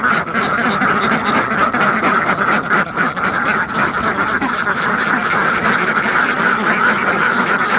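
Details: Hundreds of farmed ducks quacking continuously, many harsh nasal calls overlapping into a dense, steady chorus with no pauses.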